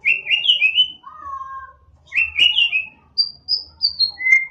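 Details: White-rumped shama song used to stir other shamas into singing: bright rich whistled phrases, some high and slurred, others a lower drawn-out whistle, with a brief sharp note and a faint low hum beneath.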